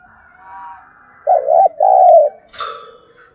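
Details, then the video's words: Spotted dove used as a decoy for training other doves to sing, delivering a single hoarse, two-part coo, followed by a short, sharper call from another bird. "Tiếng chim cu gáy kích bổi nhanh nổi, cu gáy mồi luyện bổi hót theo"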